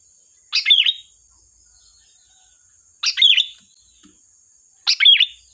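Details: Lure song of a sooty-headed bulbul: brief lively chirping bursts, three phrases spaced about two seconds apart, each a quick tumble of notes, over a constant thin high-pitched hum.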